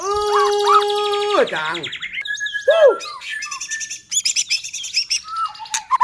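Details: White-rumped shama song used to goad other shamas into singing: a long pure whistle with rising loops, then a sliding drop, a single arched note, and rapid buzzy chattering phrases.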